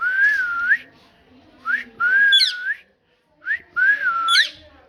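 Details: Parrot talking in three long whistled phrases that dip and rise, separated by short upward-sliding notes and brief silences.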